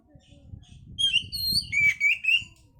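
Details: Oriental magpie-robin song used to raise breeding condition: a clear whistled phrase, a long thin high note and a series of slurred, buzzy descending whistles over low background murmur.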